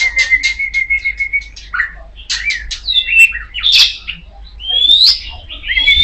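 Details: Oriental magpie-robin of the kacer poci type singing loudly: a long steady whistled note held about a second and a half, then a rapid run of varied chirps, slurred whistles, rising sweeps and harsh buzzy notes, with a faint low hum beneath.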